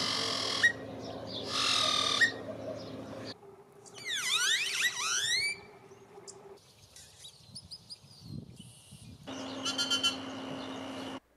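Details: Great-tailed grackle (Quiscalus mexicanus), whistles and squawks.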